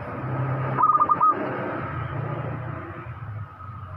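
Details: Loud-voiced local zebra dove, singing freely, produces a single brief run of quick, pulsed coo notes early on, set against a steady noisy background with low rumbling.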